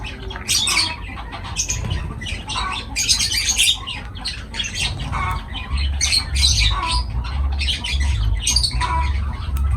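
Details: Continuous lovebird chatter: dense bursts of shrill, grating squawks and twitters recur throughout, with a low hum underneath.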